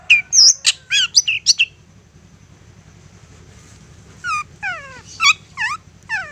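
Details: Lure song of a persistent long-tailed shrike meant to provoke responses: a quick cluster of bright chirps and whistles, a short pause, then several clear descending whistled notes, some with sharp harsh bursts.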